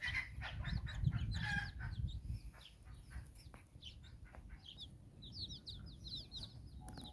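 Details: Chicken hen out walking with her nine chicks in Bizkaia, Basque Country, as they explore; scattered high chick peeps and a few low clucks over loud low rumbling background noise.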